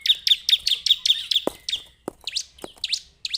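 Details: Bar-winged prinia, called ciblek, opening with a quick trill of high buzzy chirps, then slower scattered sharp notes mixed with faint low knocks.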